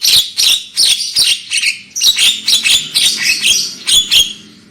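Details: Black-winged myna lure recording for prompting loud singing: an almost unbroken stream of fast, rasping, chattering notes with high whistled tones running through them, fading out at the end.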